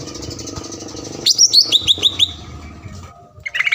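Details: Green leafbird in full song as a provoking lure for rival birds: a short series of clear notes stepping downward in pitch, followed by a fresh high twittering phrase at the end.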